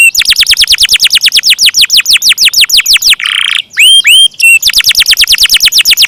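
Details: Canary singing a long 'ngeroll panjang' roll: a rapid run of falling notes, a brief rasping buzz, a few curved whistles, then the quick rolling series resumes.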